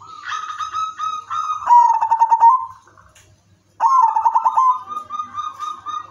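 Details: Zebra dove, udanmas silver type, singing a melodious bait song to get other doves singing: short rising notes lead into a fast pulsed coo roll, a pause of silence, then a second rolling trill trailing into steady tones.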